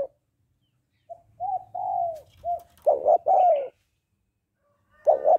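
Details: Spotted dove female coos to stimulate a male: a few quiet short notes and a long bending coo, then a strong pair of clipped coos leading into a long falling croo, with another phrase starting at the end.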